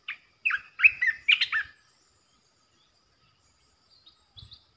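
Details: A red-eyed bulbul holding its territory delivers a brisk string of bubbling, up-and-down warbled notes in the first two seconds; a faint high note follows later.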